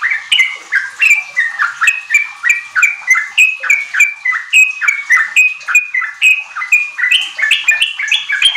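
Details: Energetic Sooty-headed bulbul song used to prompt untrained caged bulbuls kept in groups to sing in riwik and ropel style; dense run of short bubbly, slurred notes, roughly three per second, continuous and lively.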